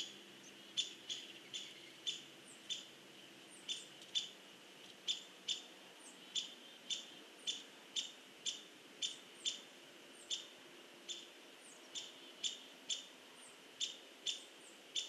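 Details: A hairy woodpecker pecks at a tree on 16 November 2015, giving a long, steady series of crisp, woody taps at about one every half second. Faint background with a low hum.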